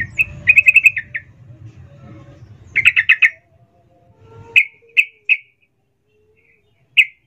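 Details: Female sooty-headed bulbul calling the male with emotional ngecuplik chatter, a lure for silent males: two rapid stuttering bursts of sharp notes, then four separate clear chirps with long pauses between.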